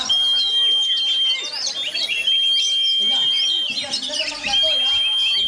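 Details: Oriental magpie-robin singing despite strong wind: rich, busy warbling of chirps and whistled figures, a few lower rolling notes near the end, and a steady high tone persisting behind.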